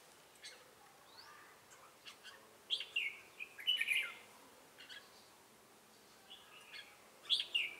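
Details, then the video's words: Red-whiskered bulbul singing ché-style as a trapping lure, Bình Phước province, Vietnam, 25 June 2018; brisk warbled phrases, a loud cluster of rich, liquid notes in the middle and another near the end, softer chirps scattered between. "Bẫy chào mào Ché cười"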